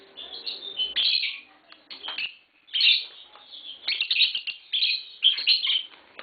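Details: Green Fischer's lovebirds kept indoors as a tame pair: squeaky, grating chirps in quick clusters, one pause midway, then busier twittering.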